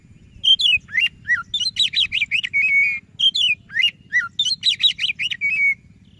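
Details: White-rumped shama song for prompting a quiet shama to sing: fast, varied whistled phrases of rising and falling notes and quick trills, a phrase repeated twice with a brief gap, over a faint low hum.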